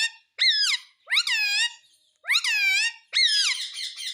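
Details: Four loud, squeaky calls from a talking parrot said to say "mummy", each sweeping up sharply and sliding down, with bright overtones and spaced about a second apart.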